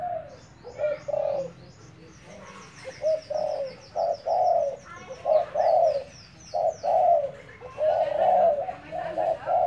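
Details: Decoy spotted dove in training, giving a long run of low mellow coos in steady groups, about one every second, while thin high chirps of other small birds twitter in the background.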